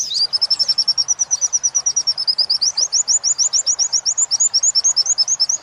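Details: Captive Oriental white-eye training song of the repeated 'wit wit' type, meant for tutoring other birds: rapid, high, thin chirped notes in a steady stream of about 136 per minute, sharpening into brighter, sliding notes toward the end.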